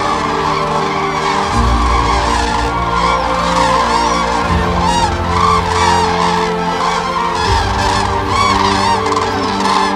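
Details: In autumn on the Baltic coast at Zingst, a large flock of common cranes migrating south from Scandinavia flies in to roost in the evening, calling with loud, rolling, overlapping trumpeting into a continuous clamour over a low music bed.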